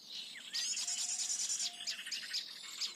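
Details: Flycatcher lure recording from Indonesian forest bird-trapping, blue-headed bird: high thin chirps and buzzy trills packed above 4k, a dense twittering burst midway then short repeated notes.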